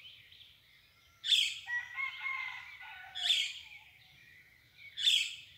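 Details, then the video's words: Dawn birdsong: high chirped phrases recur about every two seconds over a steady whistled tone and softer lower warbles, with a quiet rumbling background. "O canto das aves al amanhecer"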